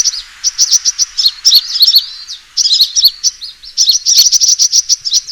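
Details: Aggressive sunbird call used to lure birds for trapping. Quick bright tweets are strung into fast chattering runs, broken by a brief gap midway.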